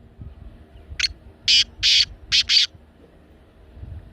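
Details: Black francolin call used to prompt a pet francolin to call: five loud, scratchy bursts in quick succession, the middle ones longer, over a quiet low background.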